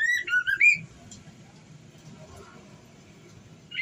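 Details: White-rumped shama female in breeding condition calling the male: an opening burst of looping, wavering whistles, then a long stretch of quiet low background.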